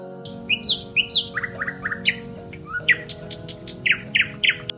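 A nightingale sings a rich, varied run of bright whistles, slurred notes and quick repeated chirps, changing phrase every second or so over a low steady hum.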